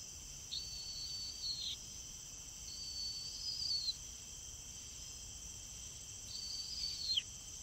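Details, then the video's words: Flying Caspian tern gives three long, level, rasping calls, each lasting over a second and ending in an abrupt downward slur, with short pauses between, over constant high insect buzzing. "Caspian tern birds call sound / flying"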